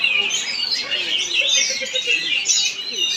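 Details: Oriental magpie-robin (kacer) performing in Palangkaraya, Central Kalimantan: dense, rapid high whistled and chattering phrases, sliding up and down without pause, with faint lower chirps underneath.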